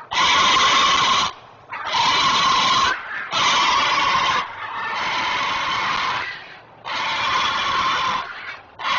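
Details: Protecting its offspring at a Chesapeake nest, a great blue heron parent gives alarm calls, captured by a nest camera on 19 May 2023. Long, coarse, grating squawks of one to two seconds follow one another with brief pauses.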